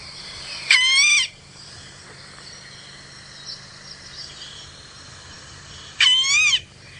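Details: Recorded call of the Golden-tailed Woodpecker, played back by a guide on a sunset safari drive at Djuma, Sabi Sand, South Africa, 2 September 2017: two loud, nasal, high-pitched screeches, each rising then dropping, about five seconds apart over a faint hum.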